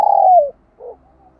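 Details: Spotted dove decoy calling wild doves: a single long hollow coo that sags downward at the end, followed by a faint softer note.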